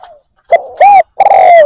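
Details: Decoy spotted dove cooing to lure wild doves: a short clipped note, then two drawn-out, smooth coos, the second long and gently falling, loud and close.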